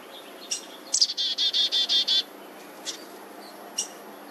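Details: Black-headed Grosbeak adults at a nest with about three young in a front-yard laurel, South Eugene, 26 June 2023, parents feeding; sharp high chips, a quick run of six evenly spaced high chirps, two more chips, over pressure-washer hum.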